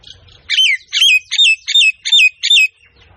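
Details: Myna uttering six evenly spaced, buzzy chattering notes, each with a sharp dipping twist, roughly three per second, against a quiet background.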